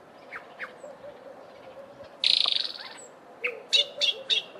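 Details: Olive thrush calling: a few thin notes, then a harsh, rasping buzzy burst lasting nearly a second, followed by a string of sharp high chips, over a soft low cooing of another bird in the background.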